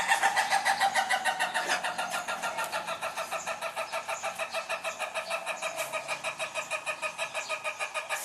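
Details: Indonesian laughing chicken, the Ayam Ketawa or manu gaga of Sidrap, South Sulawesi, giving a long, steady stream of fast, evenly spaced cackling pulses, around three each second, rich and strained in tone.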